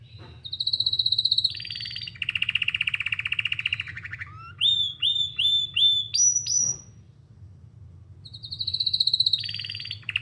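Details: Canary song of long rolling trills: a high buzzy roll dropping to a lower churring one, a series of clear rising whistled notes, a brief pause, then another high trill; low hum throughout.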